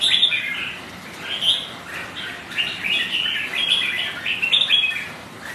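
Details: Several kept red-whiskered bulbuls challenge each other on a rainy, windy day with loud, rapid, bubbling whistles and chirps, phrases overlapping densely, rain audible beneath.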